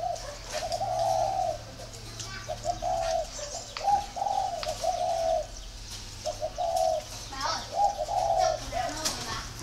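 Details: Low, husky coos of a spotted dove in paired and single notes, repeated steadily over about ten seconds, with scattered clicks and faint high chirps in the background.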